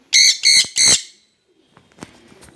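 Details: Jenday conures kept as a pair, three piercing, buzzy squawks in a fast burst, then near silence with faint rustling.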